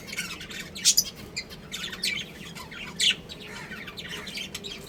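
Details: Pet budgerigars, a breeding pair, with soft background twittering broken by a few louder, sharp chirps, the clearest near the first and third seconds.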